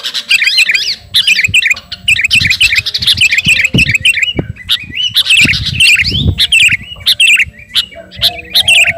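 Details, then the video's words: Sooty-headed bulbul of the garuda type singing at a rival: continuous busy twittering made of quick upswept and looping notes, with a few sharp taps and low background rumble. "Burung kutilang garuda gacor memanggil lawan"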